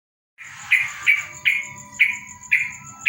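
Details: Yellow-vented bulbul singing after a morning dew bath: short bright chirped notes repeated about every half second, over a steady thin high whine and a low buzzing hum.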